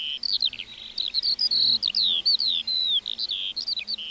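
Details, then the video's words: Lark singing in a meadow, a continuous rapid stream of high warbled notes, short slurred whistles and trills tumbling between rising and falling phrases with barely a pause. "Singing lark in the meadow"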